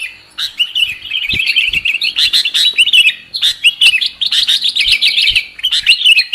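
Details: Lure call of the sooty-headed bulbul, for trapping birds: a dense, continuous stream of quick, liquid chirps and warbled notes with almost no gaps between them.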